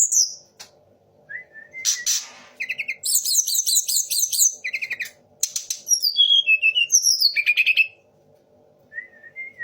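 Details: Sunda laughingthrush singing a medley that imitates the magpie robin, white-rumped shama and orange-headed thrush. Bursts of rapid buzzy chatter alternate with descending whistles, ending after a pause with soft, thin notes.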